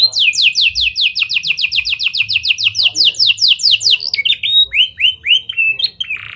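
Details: Canary song with lovebird and prinia imitations, meant to prompt other canaries to sing at length; a long rapid series of downslurred notes, then buzzy upswept whistles and a harsh burst at the end.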